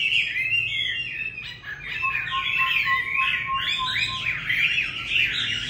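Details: A caged Chinese hwamei sings a sustained, richly varied warble of sliding whistles and rapid twittering. A steady, lower tone runs beneath it through the middle.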